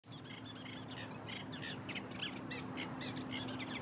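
Eurasian tree sparrows give a quick run of short, bright chirps, several a second, over a steady low hum.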